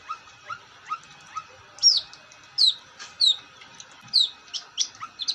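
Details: Long-tailed shrike: soft, rising whistled notes at a steady pace, mixed with louder, sharp, high chirps and brief scratchy bursts, all separated by short pauses.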